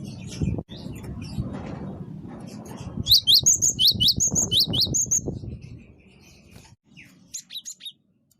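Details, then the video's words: Great tit singing energetically for luring birds: after muffled low bumps and rustling, a fast run of high, sharp, paired chirps lasts about two seconds, then fainter scattered chirps follow near the end. "gelatik batu wingko gacor pancing bunyi pikat gacor"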